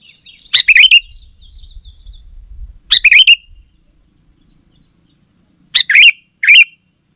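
Sooty-headed Bulbul giving four bursts of loud, bubbly, liquid whistled phrases, each under a second, with pauses between; a faint low rumble early on.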